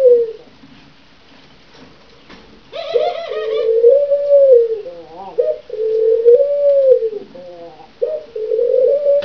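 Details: A caged pair of blue ringneck doves courting indoors; long low rolling coos, some wavering and bubbling, run almost continuously after a quiet opening, with a brief higher harmonic-rich burst near three seconds.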